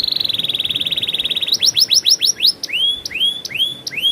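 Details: Canary singing a rolling song: a fast level buzzing trill, then quick descending whistled notes, ending in slower rising upslurred whistles.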